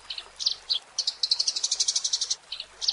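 Eurasian tree sparrow giving high, sharp chirps, first in short pairs, then a fast run of about a dozen, roughly eight per second, over a faint background hiss.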